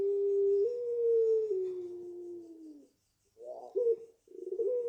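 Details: Five-month-old pelung Barbary dove from the keeper's own garden giving its prized long voice: a steady, drawn-out coo nearly three seconds long that sags slowly in pitch, then a pause and shorter, rougher coo fragments.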